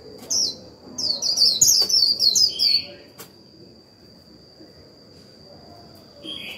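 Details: White-eye decoy in líu song aimed at exciting a fresh-caught bird: one opening chirp, then a rapid two-second chain of high, slurred, falling notes, followed by quiet and a faint soft note near the end.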